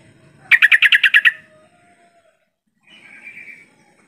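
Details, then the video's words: Yellow-vented bulbul lure call for making birds answer: a fast burst of about eight loud chattering notes over a faint steady hum, then a softer warbling phrase. "Suara panggilan trucukan ini mampu mengatasi trucuk yang malas bunyi jadi rajin bunyi sahut sahutan"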